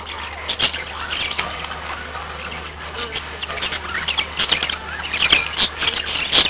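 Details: A group of pet budgerigars indoors giving a continuous scratchy warble, threaded with short high chirps and a few sharp squeaks near the end, over a steady low background hum.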